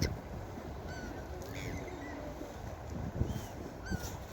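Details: Seagulls at the beach giving a handful of brief, downward-curving mewing cries at varied distances, set against constant rushing surf and wind noise.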